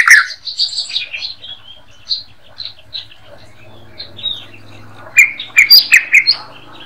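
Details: White-rumped shama singing a master song for training songbirds: varied whistled and chirping phrases around mid-high pitch, softer early notes giving way to a louder burst of sharp, rising chirps near the end, over a faint low hum.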